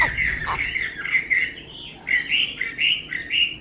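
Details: Chinese hwamei, a tame songbird with a fine voice, utters rich slurred whistled phrases, rising and falling in short repeated bursts of about half a second.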